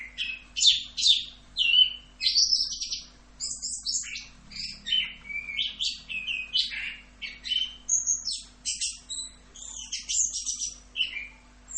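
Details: Twelve seconds of orange-headed thrush tutor song in 'full Rock'n Roll' style: a rapid, relentless sequence of high chattering and whistled phrases, loud bursts following one another about every half second.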